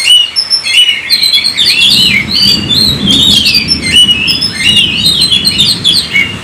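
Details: Oriental magpie-robin singing in full 'gacor' style, played to spur other kacer to sing: dense, varied whistled phrases with quick slurs and trills over a faint low background hum.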